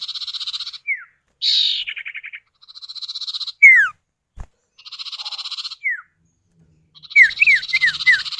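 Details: Common iora, called sirtu or cipow, male and female answering each other, played as a lure to get other birds singing: buzzy pulsed rattling trills alternate with sharp descending whistled notes, some in quick runs of three or four.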